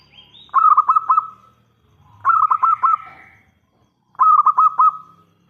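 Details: Local zebra dove in full voice, used as a lure call so other doves reply. Three cooing phrases come roughly every two seconds. Each has four or five rapid, bubbling pulses that run into a held level note, over a quiet background.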